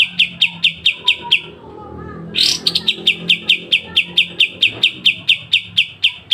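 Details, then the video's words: Pied triller with sharp 'besetan' strokes, recorded clearly as a songbird tutor: a run of crisp high chips, a short pause, a harsh rasping burst, then the chipping series resumes and continues evenly. "Masteran full kapas tembak dengan besetan tajam"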